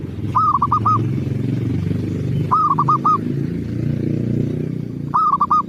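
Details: Zebra dove lure cooing from a local perkutut: quick runs of four or five ringing, arched coos repeated roughly every two and a half seconds, set against a steady low humming rumble.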